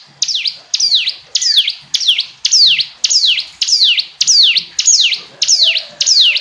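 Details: Hill prinia in steady song: a long, evenly spaced string of about twelve high, sharply descending notes, each a crisp shrill sweep, delivered nearly twice a second.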